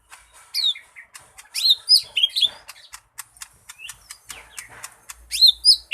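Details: Lesser green leafbird delivering a varied, energetic song: bursts of loud slurred whistles and twittered phrases mixed with rapid dry clicks, the whistled flourishes returning strongly near the end.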